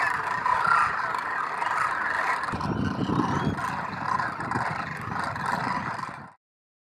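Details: Thousands of wintering migrant Demoiselle Cranes preen near a water hole at Khinchan village, Rajasthan, calling in a dense chorus of overlapping harsh croaks and trumpeting, over a low rumble that may be wind or a distant vehicle.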